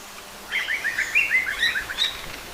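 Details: Yellow-bellied bulbul parents calling while defending their chicks from an ant attack at the nest; a run of short chirpy whistled notes over about two seconds, rising and falling, with a quiet natural background.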